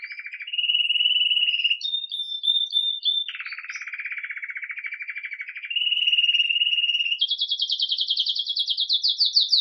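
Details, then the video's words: Belgian canary, red mosaic agate, animated at the start of the day in 'Campainha' song, recorded live: a rolled trill, short high ringing notes, a low buzzy roll, a steady mid trill and a fast high pulsed finale. "Canário Belga Ágata Vermelho Mosaico Canto Campainha"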